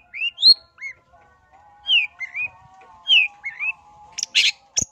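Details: Long-tailed shrike lure song meant to rouse other shrikes: clear, rising and falling slurred whistles in short pairs, with a harsh burst near the end.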